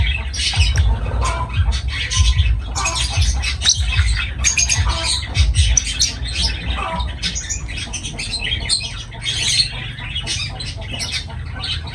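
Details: Lovebirds chattering nonstop, a dense stream of overlapping high chirps and squeaky squawks from several birds, with a low rumbling hum underneath.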